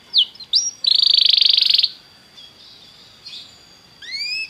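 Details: Belgian canary gives a couple of sharp whistled notes, then a fast rattling trill lasting about a second, a pause, and a rising whistled sweep at the end.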